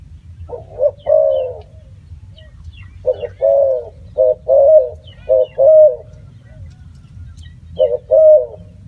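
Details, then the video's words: Spotted dove calling in a run of mellow coos, short notes paired with longer falling ones in four or five phrases, faint chirps above and a continuous low hum beneath. "សម្លេងសត្វរលក . Bird sound spotted dove"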